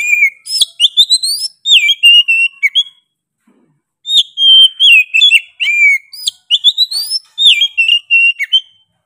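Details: Loud, persistent song of an Oriental magpie-robin: rapid sequences of clear whistles, rising sweeps and scratchy high notes in phrases of one to two seconds, broken by a pause near the middle.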